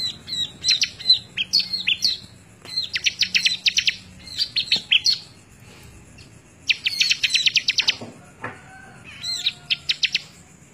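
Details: Lively Bar-winged prinia song, recorded in May 2017 as a tutor track for other birds: four rapid, rattling bursts of very high ticking notes, with thin whistles between them and short quiet gaps.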